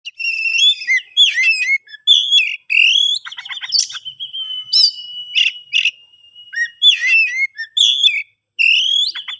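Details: Captive-bred Oriental magpie-robin from Kebumen in a rich, varied song of sweet whistled phrases, rising slurs and buzzy trills, broken by a long steady whistled note held for about two seconds in the middle, with short pauses between bursts.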